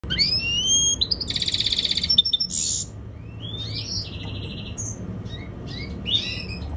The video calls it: European Goldfinch mule singing